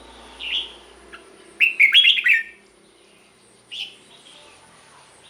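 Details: Red-whiskered bulbul song used to stir caged birds: a short whistle, then one rich warbled phrase of several quick slurred notes, followed by a lone clear whistled note.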